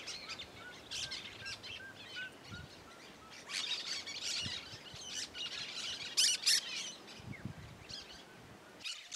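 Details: Cactus parakeet singing free in the wild in the Caatinga of the Bahia sertão, Brazil: harsh, buzzy high chirps in irregular overlapping bursts, several per second, with faint thin whistles of other birds behind.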